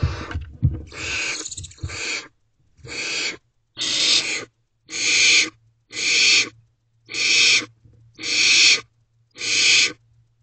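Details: Barn owl owlets in a nest box at 1:07 am on 14 May 2023, one preening another while a sibling holds a mouse; harsh broadband hissing screeches repeat roughly every second, nine bursts, after some rustling at the start.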